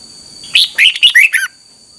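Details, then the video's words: Red-whiskered bulbul morning song for bird training: one quick jaunty phrase of about five clear slurred whistles ending with a downward note, with a constant faint high-pitched hum. "Luyện chào mào hót sáng 2021"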